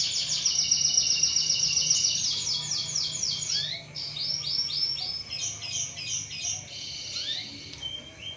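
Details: A canary sings as a lure for other canaries: a run of rapid, sweeping high notes, then varied choppy trills and short phrases, with a faint low hum beneath.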